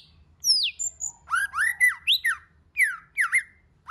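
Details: Varied song of a White-rumped shama, used to rouse other shamas into singing. A high falling whistle opens, then loud upslurred and downslurred notes follow in quick, uneven succession with short gaps.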